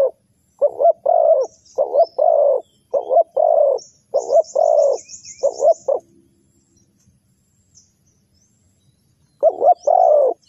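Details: Spotted dove call used as a lure to attract wild birds to a trap: loud, low cooing phrases, a short note followed by a longer rolling coo, repeated in quick bursts, then a pause before another phrase. Faint high chirps from other birds.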